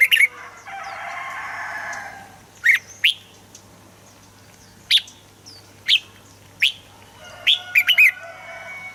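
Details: Song of a red-whiskered bulbul, played to get birds singing: single sharp chirps repeated every second or so, ending in a quick cluster of bright notes, after an opening stretch of buzzy chatter.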